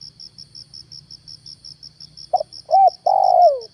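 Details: Spotted dove used as a lure, morning: after a stretch of regular cricket pulses, a cooing phrase begins with a short note, a hooked coo and a long coo gliding downward.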